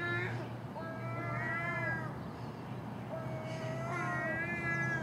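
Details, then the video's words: Early-morning common gulls squabbling over household garbage with a magpie and crow nearby: several plaintive, wavering mewing calls, some with slight tremolo, overlapping in a noisy racket over a low background hum. "Common Gull Magpie and Crow making noise at early morning"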